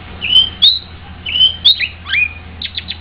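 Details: White-rumped shama singing well: repeated clear whistled phrases ending in sharp upward flicks, then a slurred falling note and three quick chips, over a quiet low hum.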